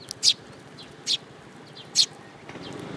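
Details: Sparrows fetching food from an outstretched hand at a Tenmangu shrine on 7 July 2022; three loud, harsh chirps spaced nearly a second apart, with faint rustling near the end.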